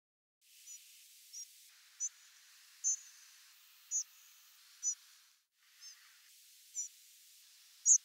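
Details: Spotted Flycatcher nocturnal flight calls: about nine thin, very high, brief notes, each around 100 ms, at irregular intervals, varying slightly in pitch, over faint background hiss.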